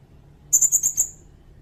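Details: Sirindet song for training songbirds such as kacer and murai batu. There is one brief phrase of five quick, very high, bright notes delivered in about half a second.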